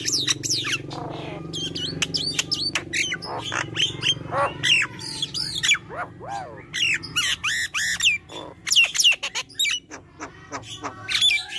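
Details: Continuous lively song of a Nias hill myna in full voice: dense run of loud whistles, squawks and sharp clicks, many steeply rising and falling notes packed closely together, over a steady low background hum.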